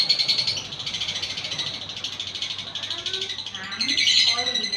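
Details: Lovebird ngekek, played as a lure to get caged lovebirds singing: fast, rattling high chatter held steadily, with a few lower sliding notes and a burst of brighter trilling near the end.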